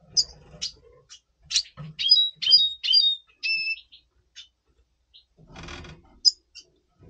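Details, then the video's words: Double pastel red siskin before breeding, in breeding mood, November 2023. High chirps lead into three or four twangy whistled notes in a row, then a long silent stretch with soft rustling. "Red Siskin 🦩Double Pastell 🔥FeuerZeisig before Breeding - Voice Brutstimmung"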